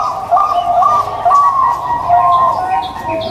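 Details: Local zebra dove song, played to coax silent doves into singing: soft, fluttering cooing notes running almost continuously with slight rises and dips, faint higher chirps in the background.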